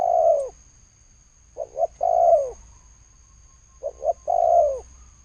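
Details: Spotted dove coos in the thổ sấm style, 2020: a long downward coo, then two phrases of paired short hoots leading into drawn-out low coos, over a soft steady high whine.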